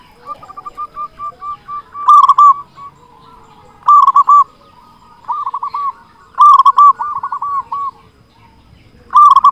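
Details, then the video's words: Zebra dove, a loud local bird kept as a lure to draw and stimulate other zebra doves, delivering short rolling cooing phrases: soft ticking notes first, then loud trilled coos every couple of seconds. "Perkutut lokal gacor suara besar cocok untuk pancingan semua jenis burung perkutut"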